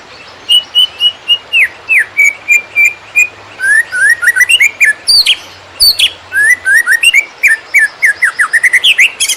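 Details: Konslet song of a greater green leafbird for training competition birds: steady repeated whistles give way to a busy medley of rising slurs, high chips and quick trills, continuing energetically; light low hum behind.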